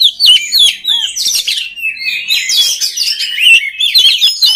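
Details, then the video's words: Oriental magpie-robin delivering a rapid run of varied whistles, rising and falling slurs and scratchy notes, nearly continuous, as training song for other magpie-robins. "SUARA KACER PALING DI CARI UNTUK MELATIH MENTAL KACER LAIN AGAR CEPAT GACOR"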